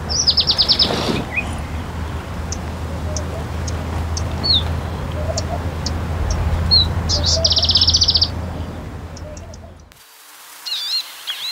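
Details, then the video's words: Palestine sunbird giving rapid, high, rattling trills at the start and again later, with scattered chirps between, over a constant low hum that cuts out near the end. "Glimpse of the Palestine Sunbird | Beautiful Chirps & Songs"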